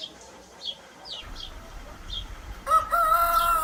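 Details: Hen up in a tree on a farm. After a few high, falling chirps from small birds, a sudden loud, harmonic crow-like call breaks in and holds steady until the end, cut off mid-call.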